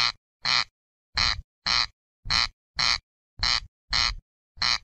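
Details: Corn crake giving its rasping crex-crex call: harsh, dry double bursts repeated steadily, each rasp about a quarter second long, with clean silence between pairs.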